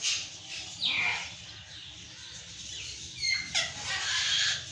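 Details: Harsh screeching of Patagonian conures, several rasping calls dropping in pitch, separated by short gaps, with a noisy scratchy background.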